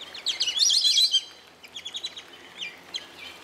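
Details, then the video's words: White-faced whistling duck at a zoo giving a quick run of high, clear whistled notes, a loud rippling burst followed by softer repeated whistles. "White-faced whistling Drzewica białolica Dendrocygna viduata"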